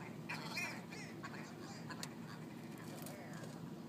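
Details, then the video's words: Ptarmigan squabbling within a large flock on a Yellowknife street, Northwest Territories; a couple of hoarse nasal calls early, then sparse clicks and scratchy notes over steady low hum. "Squabbling ptarmigan"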